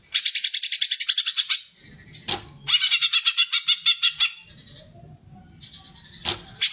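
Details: Greater green leafbird fighting song used to provoke other birds, young or trainee, into song: two long rapid trills of buzzy, rasping notes separated by a sharp click, with a softer chatter and another click near the end.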